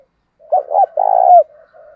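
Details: Single close, loud phrase from a decoy spotted dove in wild-dove style, meant to provoke a fight: a hiccuping two-part coo followed by a longer vibrating coo that drops at the end, then soft low murmuring.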